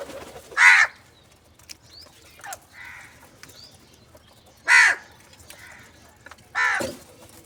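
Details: Crow calling for food in the morning: three loud, harsh caws spaced about two seconds apart, each a short rasping burst, with faint softer calls and quiet outdoor background between them.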